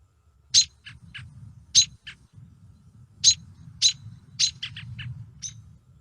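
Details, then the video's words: American robin calls given as a familiar-bird example for learning birds by ear: sharp, high chirps and quick tuts, some doubled, in no steady rhythm, hard to predict, more like random speech than patterned song, over a faint low hum. "and then we'll listen to the call of another familiar bird the american robin hear that"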